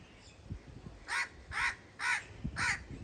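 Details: Crow cawing four times in steady succession, each harsh, rasping caw lasting about a quarter second, spaced roughly half a second apart, with soft low thumps and background noise between.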